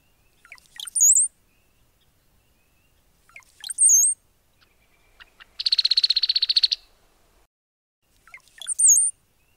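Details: Brown-headed Cowbird, brood parasite, Vancouver Island, British Columbia, summer: three liquid gurgles each ending in a thin, very high slurred whistle, plus one dry, buzzy chattering rattle between.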